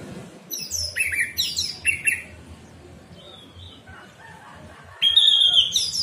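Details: Orange-headed thrush in a morning 'ngeplong' song recording used to prompt caged birds that stopped singing: bursts of loud, varied whistled phrases sliding down from high notes, separated by pauses with faint background rumble, then a renewed louder phrase.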